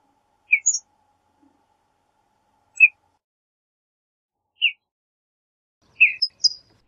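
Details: Western bluebird giving short, soft chirped notes spaced irregularly every one to two seconds, some as quick doubled chips, against a silent background.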